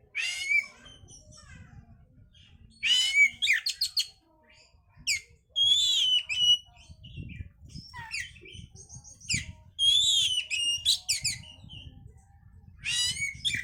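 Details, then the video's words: Oriental magpie-robin song used to bring a bird into breeding condition: loud bursts of varied whistles, sharp chattering notes and rapid trills, delivered in phrases separated by short pauses over a low rumbling background. "pancingan suara Kacer untuk mendongkrak birahi"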